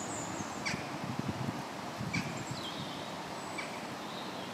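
Egyptian geese give harsh, rasping honks in short bursts about every second and a half, with a low, rough chatter of calls in between.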